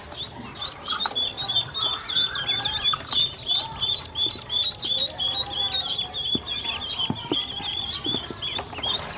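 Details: Baby domestic ducks, hungry, being given feed and water by a woman. A steady stream of high peeping from many ducklings, roughly three notes a second, with a soft low voice and knocking sounds in the background.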